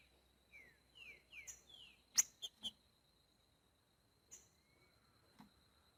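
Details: Green-winged saltator singing in nature in boiadeiro style: four clear whistled phrases, each sliding downward, given about half a second apart, then several sharp clicks and taps, over a steady thin high whine.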